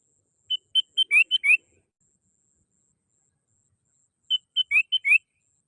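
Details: Sooty-headed bulbul call used as a lure to attract birds: two bright phrases, each of short clear whistled notes mixed with rising slurred notes, about five to six notes per phrase, separated by a long silence.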